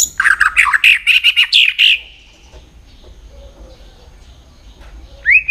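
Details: White-rumped shama song used to train and stimulate shamas for singing contests: a loud, fast series of rich whistled and warbled notes for two seconds, then near silence with a faint low tone and one closing rising whistle.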